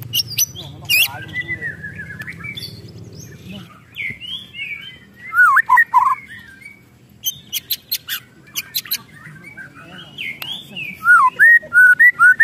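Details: White-rumped shama in an emotional state, its ketrekan mixing crisp clicks, rattling ticks and warbled whistles in irregular bursts that grow louder toward the end, with an indoor-sounding low hum.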